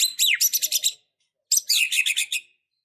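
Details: White-rumped shama in a fighting, emotional state giving two dense bursts of rapid, harsh, stuttering notes with a quick downward whistle, each burst lasting about a second.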